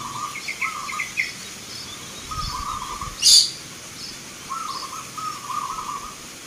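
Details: Zebra dove singing at a local bird-song contest in Yogyakarta, Indonesia, in November 2023; soft pulsed cooing phrases come in bursts, with faint higher chirps from other birds and a sharp click midway.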